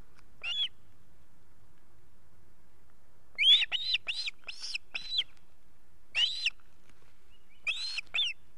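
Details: Osprey chicks at a nest in Estonia in August, all at home, giving series of sharp, high, downslurred whistled chirps in bursts separated by silence.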